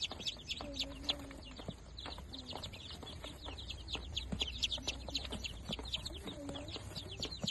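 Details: Day-old Darag native chicks, fifteen newly hatched birds, giving a steady chorus of thin, shrill cheeps in quick succession, plus a couple of lower drawn-out tones and light background rustling.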